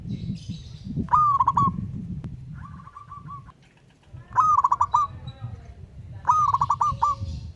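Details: Zebra dove, local wild bird, calling a rival: loud stammering coo phrases of a rising note and quick pulses, plus a softer similar pulsed phrase in between, over a low background rumble.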